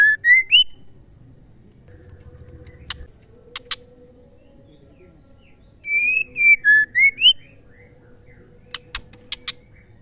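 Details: Female white-rumped shama calling, a sound used to provoke males into song: two bursts of clear whistled notes, each five or six short slurred whistles rising and falling, separated by quiet with sharp clicks and a steady hum.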